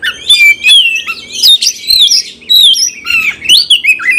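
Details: Oriental magpie-robin, a caged bird, singing in a fighting style: loud, rich, varied whistled phrases sliding up and down with harsh squawky notes, in bursts separated by brief pauses.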